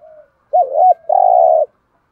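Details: Spotted dove serving as a decoy for wild doves, giving thúc gù calls: a faint soft coo, then a quick rolled double note and a long steady coo.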